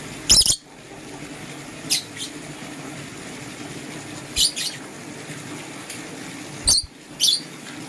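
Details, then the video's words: Sparse shrill chirps from green and blue lovebirds in the morning, spaced a couple of seconds apart, with two sharp knocking clicks and steady low indoor hiss. "Green LoveBird Chirping Sound"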